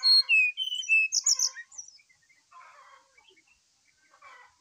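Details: Morning song of a brown-chested jungle flycatcher, used to prompt another bird to sing: bright descending whistled notes, a quick high trill, then low warbling chatter fading out.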